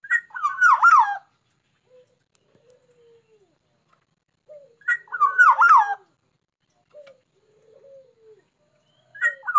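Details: Black-naped oriole singing vigorously, readied for song contests: loud fluty phrases of looping, wavering whistles repeat about every four to five seconds, with faint low whistled notes in the pauses.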